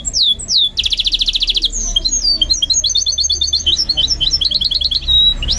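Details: Sung by a goldfinch mule under training: swooping whistles, a rasping buzzy trill, then fast chattering high notes in quick succession.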